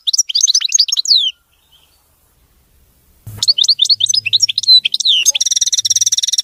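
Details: European goldfinch with a clean song: a burst of swept, liquid twitters, a quiet gap and a click, then lively chattering notes building into a long, fast, buzzy trill.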